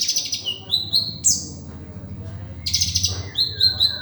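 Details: Sunbird training recording in the konin dacok style with rich filler phrases, meant to tutor kept songbirds; high thin chirps and short descending whistles in two bursts, with a low hum underneath.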